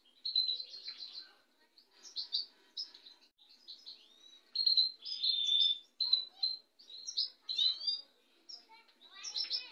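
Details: White goldfinch delivering a varied twittering song of quick liquid chirps, slurred whistles and tinkling notes, almost continuous, with faint low sounds behind.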